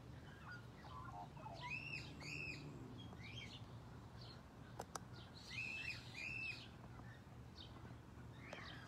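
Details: Captive rainbow lorikeet at Fort Wayne Children's Zoo, filmed close up, gives bright, squeaky chirped calls in quick pairs near the start and again later, with scattered softer squeaks between and a steady low hum underneath.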